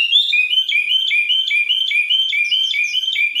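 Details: A Moroccan common bulbul sings a song sequence with two variations: bright, fluty notes alternating between higher and lower pitches, short phrases repeating about every half second, with no other sounds.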